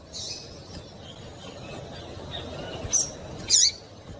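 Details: Female double-collared seedeater calling so a male will sing: two quick high chips near the end, the second louder, preceded by faint scratchy notes, all over low background hiss.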